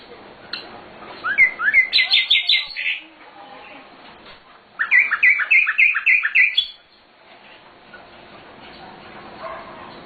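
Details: Sikatan londo, or nightingale, recorded as a master track to teach other birds: two bursts of rapid repeated chirping notes, each lasting about two seconds, separated by quiet pauses.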